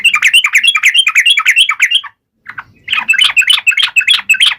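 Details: Yellow-vented bulbul, said to be taunting opponents, gives dense, scratchy, rapidly repeated chattering notes, breaks off briefly after two seconds, then resumes just as fast.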